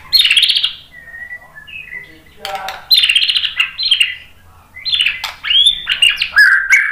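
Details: White-rumped shama singing to provoke other birds to sing, loud varied bursts of harsh chattering phrases alternating with clear whistled notes, full of changing mimicked material.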